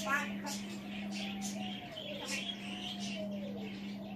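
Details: Pet African grey parrot sitting on a chair in the background talking to himself: soft speech-like mumbles and a long falling whistle, distant and low in level, with a steady electrical hum throughout.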